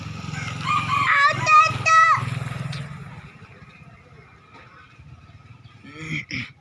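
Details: A young red rooster, whose crow resembles that of his yellow father, gives a single short crow of rising then held harmonic notes, over a steady engine rumble and a man talking.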